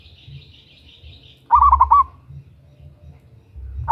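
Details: Female local zebra dove calling a male, as a lure: a thin high buzzing sound at first, then one quick burst of loud stuttering coos, with the start of another phrase at the end.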